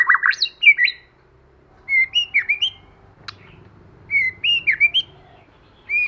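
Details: White-rumped shama singing a forest-style song to stimulate other birds: clustered bursts of bright whistled, slurred notes separated by pauses of about a second, with a single sharp click midway.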